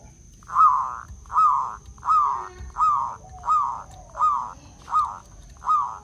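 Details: Local wild zebra dove from Blora, Indonesia, its crystal-clear voice used to lure and trap other doves: eight soft mellow hooting coos, one every three-quarters of a second, over a faint steady high whine.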